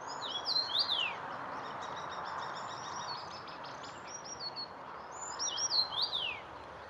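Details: Common rosefinch (Carpodacus erythrinus) singing at Irschener Winkel: two short phrases of clear, high whistles with slurred downward notes about five seconds apart, a softer run of quick chips between, over steady hiss.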